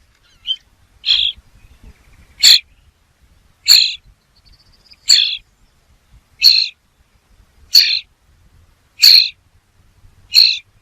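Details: Steady run of eight or nine short, hoarse, high-pitched bird notes, evenly repeated about every 1.3 seconds, with near silence in between.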